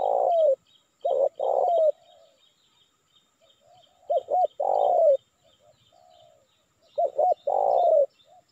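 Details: Cooing of a spotted dove used to draw in wild birds: three phrases of two short hooked notes and a long sliding coo, with soft trailing coos and faint high chirps of another bird behind.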